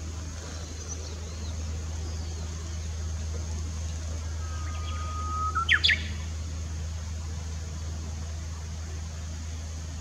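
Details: Japanese bush warbler at Komatsugaike pond, 16 June 2016, giving one song midway: a held whistle gliding up slightly, then a brisk, sharp two-to-three-note flourish, with steady low traffic rumble throughout and otherwise quiet surroundings.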